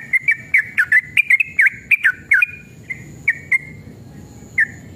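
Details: Sooty-headed bulbul, a male in fierce fighting mood, giving a fast burst of bubbly, swooping whistles that slows into a few isolated clear notes, meant as a lure to draw other bulbuls into song.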